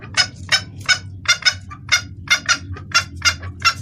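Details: Calling female red junglefowl summoning the male, a clear lure call: rapid, sharp clucks about one per second, often doubled, with a low hum underneath.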